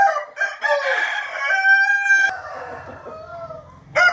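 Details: Rooster crowing at morning, 8 April 2021: one strong clear crow with stacked bright harmonics, rising and holding steady before dropping into a fading drawn-out tail, then another crow beginning at the end.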